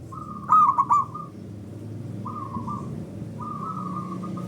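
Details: Local zebra dove singing as a lure among answering doves: one loud stuttering three-note coo phrase at the start, then two fainter level coos from other birds and a low hum.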